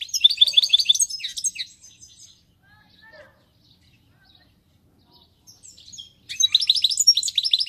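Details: European goldfinch singing fast, high-pitched liquid twitters, pausing with a few faint notes before resuming an energetic tinkling phrase.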